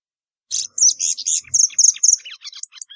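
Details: Plumbeous seedeater song: a bright burst of clear whistled notes and rapid chirps, some held briefly, ending in a string of quick descending ticks and a short rising whistle.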